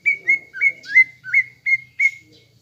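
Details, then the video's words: Caged greater green leafbird lure song to provoke a fighting mood: seven clear whistled notes, each a quick upswept slur held briefly, repeated roughly every third of a second. "PANCINGAN CUCAK IJO GACOR AGAR EMOSI UNTUK MEMBENTUK MENTAL FIGHTER"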